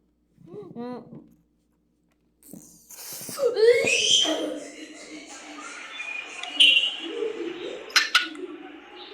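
A cockatiel sings a rambling string of whistles, chirps and rising slurred notes.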